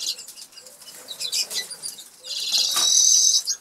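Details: Two Norwich canaries eating and singing inside an aviary cage in England; scattered soft chirps and clicks, then a loud sustained buzzy trill over the final second.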